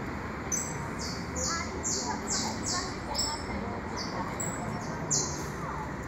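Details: Newly hatched saffron finch chicks in the nest: thin, very high descending peeps repeated roughly twice a second over a steady broad hiss.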